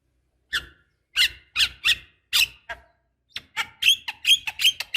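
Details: Black-winged starling, female calling to a male to get him singing; separated harsh squawking notes, then a faster sequence of thin, sharp whistled notes with rising flicks.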